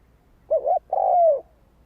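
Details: Spotted dove singing a lure song meant to draw in wild birds: a short wavering low coo followed by a longer, smooth coo that slides gently downward, in a quiet setting.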